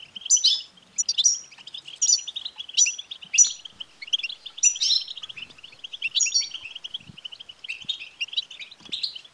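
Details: Male European goldfinch stimulation song: rapid tinkling twitter running without pause, punctuated roughly every second by sharper high bright notes, with faint low knocks in the background.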